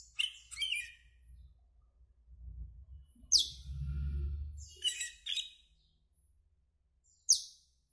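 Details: Greenish black Asian glossy starling calling with high shrill downslurred whistles and buzzy chirps in short bursts a few seconds apart, over a low rumbling background.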